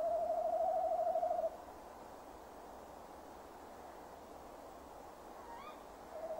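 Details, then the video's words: Male tawny owl calling around his nest box at dusk, 15 December 2015. A quavering hoot of about one and a half seconds, a long silence with a faint rising chirp, then another hoot starts. "Bosuil M roept"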